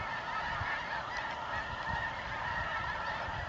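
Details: At nightfall in the New Mexico desert, November 2014, Snow Goose flocks search for a resting place; many honking voices blend into a rich, steady chorus with a few clearer individual calls standing out.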